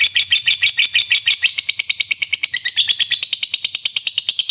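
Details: Hobbyist's lovebird delivering a long ngekek trill, valued for raising other lovebirds' excitement: a fast, even, shrill chattering series of harsh high notes, about three per second, continuous throughout with no pause.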